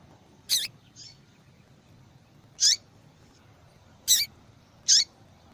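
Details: Female yellow-bellied seedeater calling to get a male singing. Four short, piercing, high chips come at uneven intervals, the last two close together, with a weak note just after the first.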